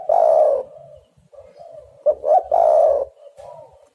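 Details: Lure call of a spotted dove meant to trap birds and set them calling: a loud, rich, drawn-out coo at the start, then quieter murmuring coos, then a stuttered 'kru-kru' leading into another full hoarse coo.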